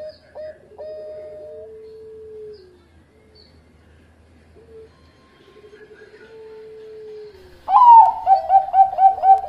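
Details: Zebra dove of the Bangkok line, a prized singer recorded as a master for training other doves; soft cooing notes and drawn-out level tones, then a loud burst of rapid, rolling coos near the end.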